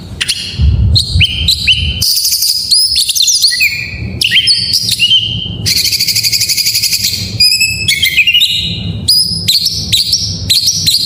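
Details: Shama song in full variety, used to prompt a silent white-rumped shama to sing: fast whistled phrases, slurred and stepped notes, dense harsh rattling bursts and buzzes in quick sequence, with low background noise.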